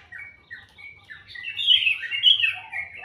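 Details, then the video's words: Morning birdsong that starts with soft, scattered whistled notes and swells into a loud, rapid, high twittering warble. "Suara burung dipagi hari sangat merdu"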